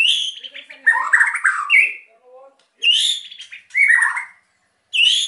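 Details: White-rumped shama singing energetically to provoke quiet birds into song: loud varied phrases of rich whistles, sweeping slurred notes and chattering bursts, with short pauses between.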